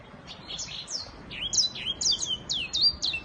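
Black-throated canary singing a fast, high run of sweet whistles and sharp downslurred chirps, varied and continuous, over faint background hiss.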